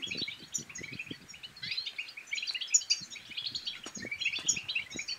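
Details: Rapid liquid twittering and chirping of European goldfinch song, meant to encourage another goldfinch to sing and mate, over a hiss of background noise and scattered low thumps.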